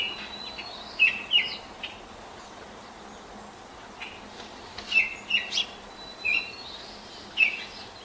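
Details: At 5:40 on a May 10, 2024 morning, a Baltimore oriole sings at sunup from an apple tree, hopping and pecking; a few brief fluty whistled notes come in two small bursts with long quiet gaps between.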